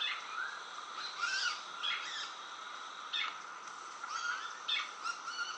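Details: Least pygmy owl, Brazil's smallest owl at about 15 cm, singing soft, evenly pitched whistled hoots, mixed with sharper chirps from other birds and a thin high insect hum.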